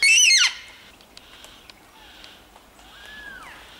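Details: Flock of about 20 yellow-tailed black cockatoos in bush on Phillip Island, Australia, September 2016: a loud harsh wailing cry dropping steeply in pitch, then a fainter drawn-out descending wail from another bird over soft hiss.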